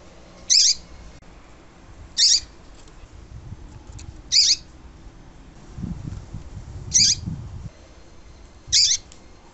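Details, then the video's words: A double-collared seedeater (coleiro) gives five short, bright, high notes, one roughly every two seconds, over a faint low rumble. "ESQUENTAR COLEIRO TUI TUI"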